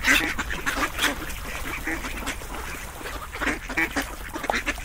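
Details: Ducks quacking in an uneven chorus. Loud nasal calls open the passage and recur near one second, followed by softer, more scattered quacks.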